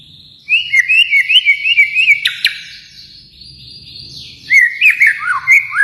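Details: ['A white-rumped shama from Kalimantan sings bouncing, repeated whistled notes, then a sharp click and a thin high sweep. A new burst of fast, descending whistles follows.']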